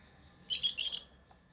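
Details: Lovebird chirping: one harsh, high, bursting chirp lasting about half a second, falling away to a quiet room.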